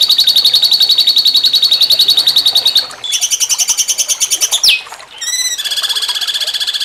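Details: Cucak cungkok in jengking munting style, a master recording for training contest songbirds: sustained rapid buzzy trills in several phrases, a falling swoop, short rising notes, then another fast pulsing trill.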